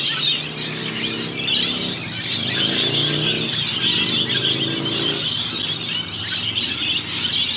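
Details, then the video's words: A big flock of Australian rainbow lorikeets, dipping into a rain gutter for quick baths, fills the air with rapid, chaotic high squeals and screeches, with a low steady hum underneath. "Noisy Rainbow Lorikeets"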